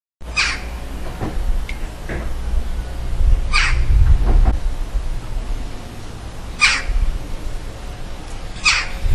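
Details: Western jackdaw in a village on Île de Groix, France, giving four short, sharp 'tchak' calls spaced two to three seconds apart, over a steady low rumble with a few dull knocks.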